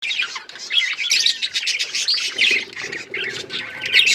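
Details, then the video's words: Budgerigars chirping together: dense, overlapping high chatter of quick warbles and squeaks, without a pause. "Budgies relaxing sounds Birds chirping sounds"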